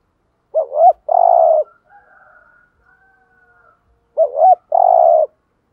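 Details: Lure spotted dove in thúc gù cooing, used to attract wild doves. Two phrases pair a fast wavering double note with a long buzzy coo. Faint high thin whistles from other birds are heard in the gap.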